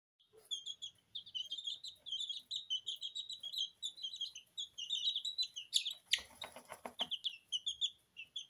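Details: Two-week-old Porcelain and Lemon Sablepoot bantam chicks bathing in their feed in a kitchen; dense, overlapping high peeps and chirps from several chicks, with a burst of scratching and rustling in the feed midway.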